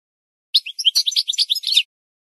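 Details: Goldfinch singing, likely a trained caged bird: a short burst of quick, high twittering notes and liquid chirps packed together for just over a second, then silence.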